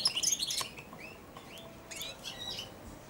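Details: Four-month-old European goldfinch in a cage, eating from a hand, babbling subsong: a quick chatter of high chirps, then several slurred rising whistled notes and further twittering bursts.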